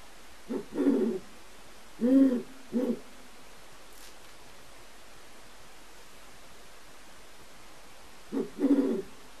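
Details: A captive pair of non-releasable great horned owls in a large aviary, copulating in breeding season while the male squeals and the female chitters; low, muffled hoots in bursts of two or three notes, a long pause before a final burst.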